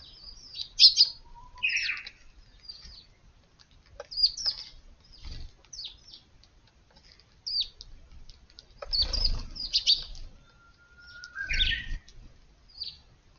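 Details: Early-morning sparrows at a Japanese garden beside a small woodland, 6 April: scattered sharp high chirps, some in quick clusters, a lower whistled phrase from another bird, and occasional soft rustling thumps.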